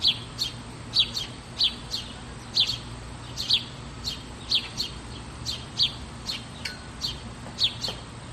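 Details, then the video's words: House sparrows singing: quick paired high chirps repeated roughly once a second in a regular rhythm over a constant low hum. "Som de Pardais ┃Pardais Cantando"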